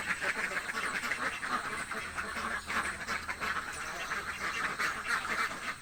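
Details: Village ducks, described as hungry, keep up a crowded stream of rasping quacks, slightly quieter and more distant, calls tumbling over each other throughout.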